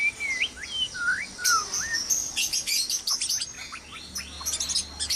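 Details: At dawn in a breeding cage, white-rumped shamas sing loud, sweet whistled notes that swoop up and down, then switch to rapid, high, scratchy chattering phrases with some short downslurred chips.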